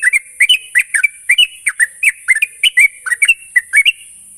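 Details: Lure recording of a Sooty-headed bulbul meant to make young birds sing quickly: a brisk, nonstop stream of short mellow whistled notes alternating up and down, about four per second, with faint constant hiss.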